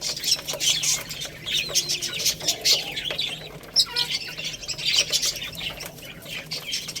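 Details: Chicks eating rice give a dense chorus of sharp, high-pitched peeps. The calls overlap and rise and fall in loudness, with scattered clicks and light rustling.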